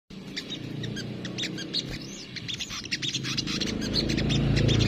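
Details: Crimson sunbird, known locally as sogok ontong, singing in the kemrecet style: rapid high thin chips and twitters that grow busier toward the end, over a steady low rumbling background noise.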